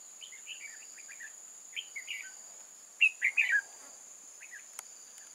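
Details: Red-whiskered bulbul singing as a decoy during bulbul trapping, recorded 8 October 2018: short warbled, chirpy phrases of three or four notes, with a loud run of quick falling notes near the middle. A steady high insect drone runs throughout.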